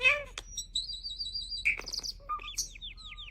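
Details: Varied vocal run from a starling that makes human-like sounds: a wavering whistle, a long high trilled note, a sharp squeak, then a string of short falling whistles over a faint steady tone.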